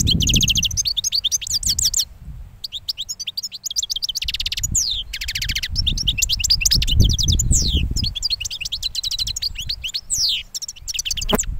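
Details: Goldfinch hatched last year, just finished moulting, delivering a long bubbling twittering song with trills and sliding notes, over low rumbling background noise.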